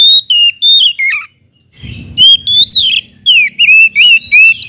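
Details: Oriental magpie-robin pouring out loud song to spur other magpie-robins: clear whistled slurs, gliding and dropping notes in repeated short phrases, a brief pause, then a low hum beneath later phrases.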